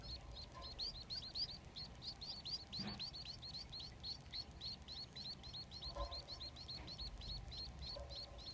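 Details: Three captive Society finch chicks beg in a fast, steady stream of high, thin chirps, several each second, as their father feeds them, over a low background rumble.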